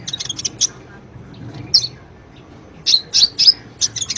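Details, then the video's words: Sunbird calls used as a lure to get a bird singing: a burst of fast high chips, a long quiet stretch with one isolated note, then a loud run of sharp chirps. "Pancingan Ampuh,buat Kolibri yang malas bunyi"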